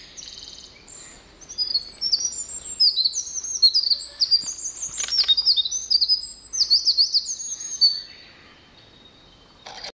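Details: A Eurasian wren singing with its whole body in Nagano, Japan, on 16 July 2011 pours out a loud, very high, rapid song of tumbling trills and sharp notes for about six seconds over a faint hiss of running water from a nearby river.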